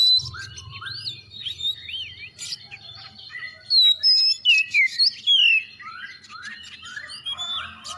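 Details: Lively Oriental magpie-robin song played to prompt other birds to sing, with quick chirps, looping whistled phrases and loud clear slurred whistles in the middle, over a faint low hum early on.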